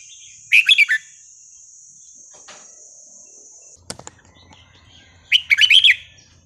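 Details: Red-whiskered bulbul sings the same lively phrase twice, each a quick burst of five or six rich whistled warbles, with a steady high insect-like whine and a brief clatter between the phrases.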